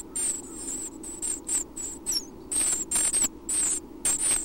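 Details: Six Chestnut-backed Chickadee chicks, about one week old, beg in a nest box at Half Moon Bay, California, around 6:30 AM as parents bring food; very high, thin squeaky bursts come in quick runs over a steady low ocean roar.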